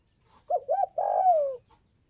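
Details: Spotted dove from Northwest Vietnam calling to provoke other doves: two short rising-falling coos followed by a long, drawn-out coo that slides downward, in quiet surroundings.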